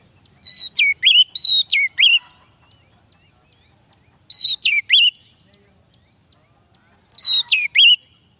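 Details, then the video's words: Orange-headed thrush song meant to coax lazy males into singing: three bursts of rapid, clear whistled notes with swooping slurs, spaced a few seconds apart in a quiet setting. "Anis merah jantan pasti langsung nyaut - suara Anis merah untuk pancingan"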